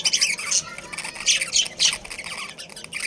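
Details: Budgerigars in a breeding colony, an Australian parrot kept as a breeding pair and family group; dense overlapping chatter of high, scratchy squawks and chirps in rapid bursts, several birds calling at once with brief quieter gaps.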